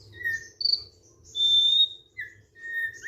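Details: Thick-billed white-eye giving a relaxed song: a few separate pure whistles, some long and level, some short, at different pitches with brief pauses between them, over a faint low hum.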